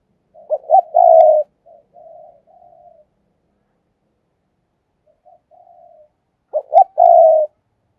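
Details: Decoy spotted dove, a kept ornamental bird, giving its thúc and gáy gọi calling: two low coo phrases, each two short clipped notes then a long steady coo with softer trailing coos, separated by about five seconds of silence.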